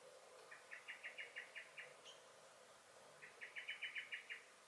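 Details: Common blackbird (Turdus merula) alarm calling in a garden on 23 May 2021: two rapid rattles of eight or nine sharp, metallic clicks, with a quiet gap between them.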